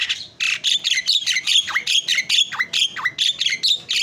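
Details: Javan myna (jalak kebo) in lively full song, used as a training recording for other birds: a fast stream of harsh, chattering notes mixed with bright whistled slurs, about two per second.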